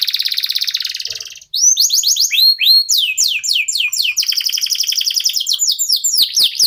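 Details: Local canary in song, used to make other birds start singing: a fast buzzy trill, a brief pause, then bright upswept chirps, rapid descending slurs and a long rattling trill.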